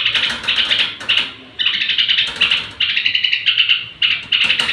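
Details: Bedtime song of a straw-headed bulbul, used to rouse other bulbuls: quick runs of rattling, ringing notes in short bursts, with longer gaps near the second mark and a soft background hum.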